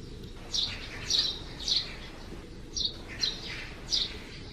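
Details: Eurasian tree sparrow coming out of its nest under the eaves on a cloudy June morning: short bright chirps repeated roughly every half second, six notes with a brief gap midway, over steady low background noise.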